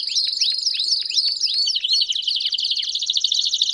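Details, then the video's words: Chorus of Belgian canaries: evenly spaced downward-slurred whistles about four per second, then a fast, buzzy rolling trill filling the rest. "Vários Canários Cantando Junto Estimule seu Canário Belga a Cantar Muito!!!"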